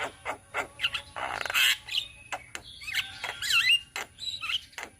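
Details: Young black-winged mynas calling as a group in Indonesia: rasping buzzy bursts, then wavering squeaky whistles and clicks, irregular and overlapping.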